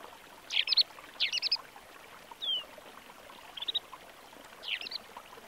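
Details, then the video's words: Snow bunting foraging and calling near a stream where the snow had melted on the Cairngorms slopes, Scottish Highlands, late February 2023: short, bright rippling chirps and a clear descending whistle, about one burst a second, over rushing water. "Snow Bunting Singing, Calling"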